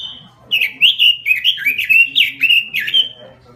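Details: Gacor robin song: a short high whistled note, then a lively, tumbling stream of fluty slurred phrases with quick up-and-down inflections, fading at the end; faint low background hum.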